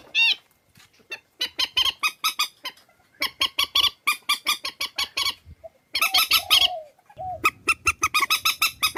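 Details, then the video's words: Series of loud, brassy, rapidly repeated honks from purple swamphen, recorded for a Vietnamese decoy track, coming in irregular bursts with brief pauses and a couple of lower drawn-out notes. "Tiếng trích ghép mòi cho anh em"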